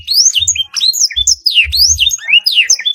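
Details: Canary song with blackthroat-style fill, used to train caged birds. It has bright, clear whistles that sweep up and swoop down in quick succession, with low thumping noises in the background.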